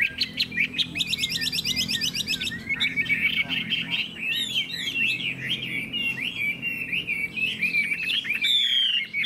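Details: Chinese hwamei singing in captivity in Vietnam: a harsh rattling buzz of stacked notes first, then a long stream of twisting whistled phrases at full volume.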